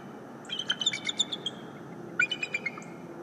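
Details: Morning greeting of a bald eagle at its nest, from a live nest camera: two short strings of rapid, high twittering notes, the second starting with a stronger chirp, over low background noise.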